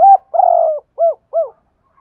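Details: Lure call of a Dong Nai spotted dove in Vietnam, meant to draw wild doves in quickly: a short coo, a long husky drawn-out note, then two brief arched coos, clean and close.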